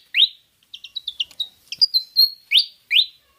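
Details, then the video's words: Pied fantail, Rhipidura javanica, in a recording meant to lure birds into singing: a rising whistled slur, a run of short stepped twittering notes, a long level whistle, then two more upswept whistles. "Pancingan suara burung kipasan/srikatan jawa javanica)"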